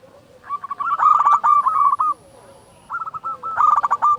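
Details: Singing local zebra dove with a big voice, played to draw out song in quiet or stressed doves: two stuttering bursts of rolling, pulsed coo notes, the first longer, with a faint high hum between.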